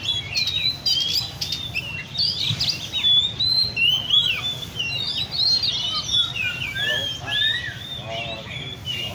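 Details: Kept Oriental magpie-robins at a bird café in Lê Thị Riêng park, Vietnam, fill the air with rich, varied whistled phrases, rising and falling quickly. Several birds overlap, with faint voices and low hum beneath.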